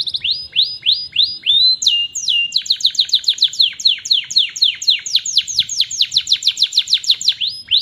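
A canary sings a fast, rolling song: bright falling whistles repeated several times a second, with a few higher sweeping notes, against faint low background hum.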